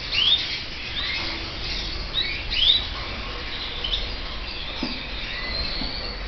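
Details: Young red mosaic canaries calling: a few sharp, upward-sweeping high chirps early on, then softer scattered peeps over a constant background hiss.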